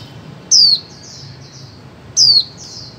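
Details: Calling female white-eye, played to get silent birds singing: two bright, high whistles sliding downward, each followed by a softer trailing chirp, about one and a half seconds apart.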